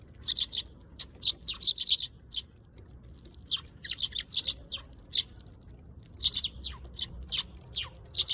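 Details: Eurasian tree sparrow chattering with quick, repeated high chirps in irregular clusters throughout, some notes sliding downward, with only brief pauses.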